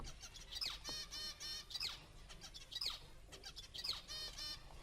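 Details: Zebra finch song played back during a lecture, quiet, with several repeated motifs of stacked harmonic syllables and short buzzy notes, each motif about a second long, so the distinct syllables can be told apart; faint room hum underneath.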